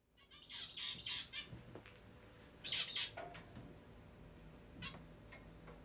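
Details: Pet zebra finch scolding angrily because two other birds keep interrupting its bath during free-flight time indoors: two short harsh, buzzy chattering bursts about two seconds apart, then quiet with faint clicks.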